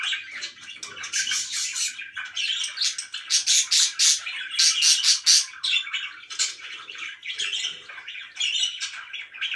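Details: Pet budgerigars kept indoors chattering busily, dense overlapping chirps, squawks and warbles, bursts of high scratchy notes in quick succession with brief louder peaks.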